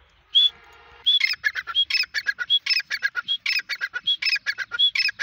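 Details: Grey francolin, known as teetar, of the Desi or Dakhni local type, calling: a clear high whistle followed by looping bursts of harsh, ringing notes, each phrase opened by a thin whistle, repeated steadily.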